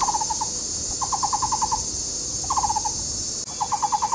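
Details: Courting pair of Taiwan barbets, Taishan ecology park, Taipei County, Taiwan, building a nest hole; dense, hollow repeated "kok" notes in fast bursts of five to eight, four bursts in quick succession, steady insect drone behind.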